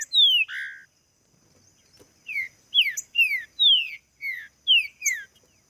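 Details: Green-winged saltator giving a loud opening pair of whistles, then after a pause a string of about eight bright, descending slurred whistles in quick succession.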